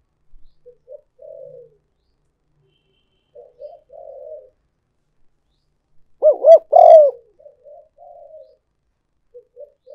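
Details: Spotted dove call used as a decoy for luring: soft, low murmured coos lead into one loud phrase of a doubled coo followed by a longer sustained note, then more quiet cooing.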